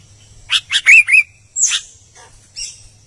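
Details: Albino sooty-headed bulbul singing: a quick run of rasping notes ending in two clear whistles, then a longer harsh downslurred call and a few soft chips.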